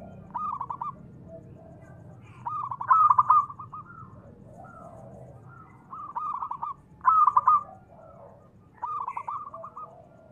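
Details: Local zebra dove, kept as a lure to stir other doves into calling, giving repeated phrases around one kilohertz: a stuttering burst then a rolling coo, several phrases spaced a few seconds apart, with a low background hum.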